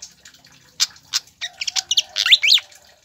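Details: Pied fantail song played to lure and tutor captive birds into singing: sharp high chirps, then a quick run of rising, buzzy notes near the end.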